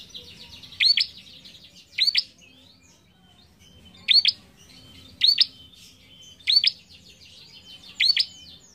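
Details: Bar-winged prinia song for tutoring young caged birds, loud double upslurred chips repeated about every second or so, with softer chattering trills between them.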